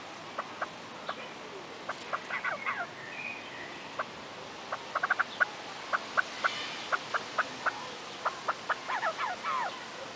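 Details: Female Himalayan monal at Artis zoo in Amsterdam, giving a series of short sharp clucking notes, single and in quick bursts, spaced irregularly over ten seconds, with faint background hum.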